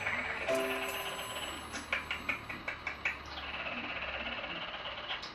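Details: A six-year-old pet budgerigar that learns to imitate light-vented bulbul calls keeps up a busy, scratchy warble broken by a quick run of sharp clicks and chirps, over faint steady background tones.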